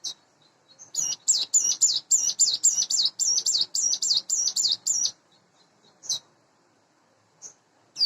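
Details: Caged Sunda bush warbler, hand-raised from a chick, about eight months old and in breeding condition, singing in the morning: a quick run of about fourteen high, sharp, bent notes for four seconds, then scattered single chips.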